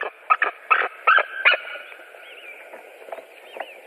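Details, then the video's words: White-tailed eagles, three birds, recorded on 7 April 2017: a burst of loud, harsh yelping notes in quick succession during the first second and a half, then fainter, spaced yelps fading out. "Juras Erglis - white-tailed eagles 2017 04 07 three eagles"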